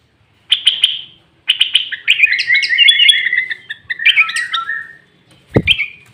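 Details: Sooty-headed bulbul (kutilang) singing loud and clear as a lure call: short bright chirps, then a run of warbled whistled notes that rise and fall, ending with a sharp click and a final chirp.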